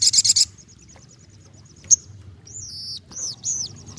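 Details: Actively singing ruby-cheeked sunbird, used to spur other birds to answer: a short shrill trill, a single sharp chip, then several high arched whistled notes.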